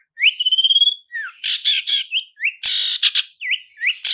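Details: Clear long-tailed shrike lure song in roll speed and roll tembak styles: a rising trilled whistle, then scratchy buzzes, a loud harsh rasp and several short upslurred whistles in a varied, fast sequence.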